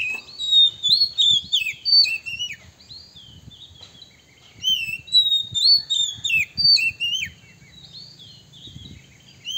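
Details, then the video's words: Oriental magpie-robin male lure song for provoking rivals: two bursts of rapid whistled and slurred notes, bright and varied, about three phrases per second, separated by a short pause, with soft background rustling. "suara PIKAT kacer PALING DI CARI 2024 / SUARA BIRUNG KACER BIKIN EMOSI LAWAN"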